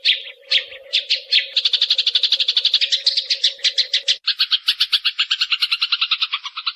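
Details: Tutor recording of a Eurasian tree sparrow chattering nyrecet-style to provoke singing: a few separate chirps speed up into a rapid rattling series of scratchy notes, continuing as a brighter fast trill, with a low hum in the first part.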